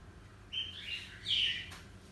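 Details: Caged cockatiel singing indoors, two bright chirped phrases, the second louder with a wavering whistled tone.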